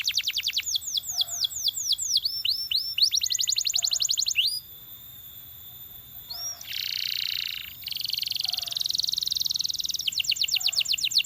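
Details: Belgian canary song that sets other canaries singing: rapid trills of falling notes, steady held whistles, a dense buzzy burst, then more quick trilling.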